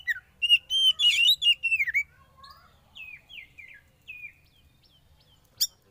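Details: Sauna-treated young wild Oriental magpie-robin singing a rapid run of varied sweet whistles and warbles, then softer slurred notes and a final sharp chip, with a quiet background.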